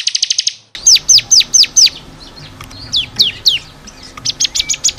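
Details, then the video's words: Song of a bar-winged prinia (ciblek kristal) used to train caged birds, opening with a fast buzzy trill, then sharp downslurred whistles and scattered chips, ending in another rapid trill. "SUARA BURUNG CIKRIS | CIBLEK KRISTAL GACOR BUAT MASTERAN."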